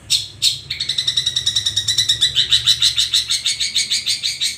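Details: Long-tailed shrike singing: two sharp high notes, then a steady run of rapid buzzy, harsh notes repeated about three times a second, loud and clear over a quiet background.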